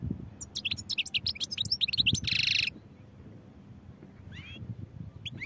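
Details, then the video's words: Singing European goldfinch in a fast liquid twitter of chirps and slurred notes, followed by a loud nasal buzzy rattle, then a few scattered calls over faint low hum. "goldfinch songs | goldfinch singing"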